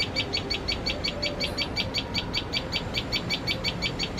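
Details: Tailorbird alarm calling out of fear of cats while tending chicks: a continuous, evenly spaced run of quick, sharp chip notes, roughly three per second, with constant low background noise.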